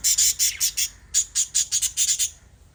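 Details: Pet budgerigars chirping: about a dozen short, harsh, scratchy chirps in rapid bursts over two seconds, bright and high, fading out at the end; no other sounds.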